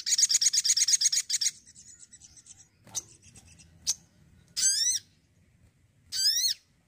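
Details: Crimson sunbird opens with a fast buzzy trill, then falls quiet apart from scattered clicks and two loud, sweeping high notes that bend down and back.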